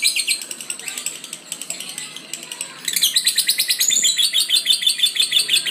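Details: Lovebird chattering, softer scratchy squeaks at first, then a louder run of quick high chirps after about three seconds.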